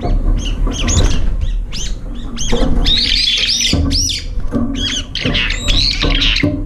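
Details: Several brown-eared bulbuls compete for the last food in a feeder bowl, fighting, fluttering up and fending off newcomers. Continuous harsh, screechy calls with sharp down-slurred notes overlap almost without pause, over low rumbling background noise.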